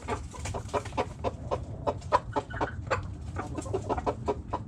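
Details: Backyard hens clucking softly, many short irregular clucks from several birds over a noticeable low background rumble.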